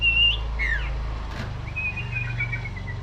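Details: Common iora, called cipoh or sirtu, gives a loud short whistle and a downward-curving slur. After a pause comes a long thin whistle that drifts slowly lower, over a steady low hum.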